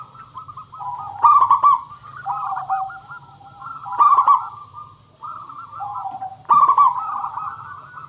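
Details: Zebra dove song meant to lure other birds into answering: three loud, trilled coo bursts spaced about two and a half seconds apart, with quieter wavering coos between them, over a faint low hum.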